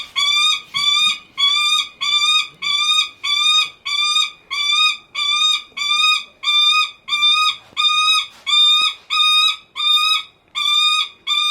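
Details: At a Kakegawa bird park in Japan, a captive Lanner falcon keeps calling to get its keeper's attention: a long regular series of about seventeen harsh, buzzy, flat cries, evenly spaced, each slightly wavering in pitch, with almost no background noise.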